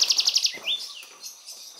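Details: Amorous pair of Spectacled Parrotlets at Laguna de Sonso near Cali, Colombia, 9 July 2019: a quick run of six sharp, high chirps, then a short rising note and a few softer scattered chirps.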